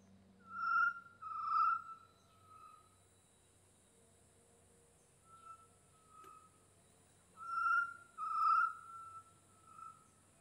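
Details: Chestnut-necklaced partridge, recorded 1 January 2022, giving mellow, low whistled notes in two bursts, each a few loud falling whistles trailing into softer ones, over a steady insect hum.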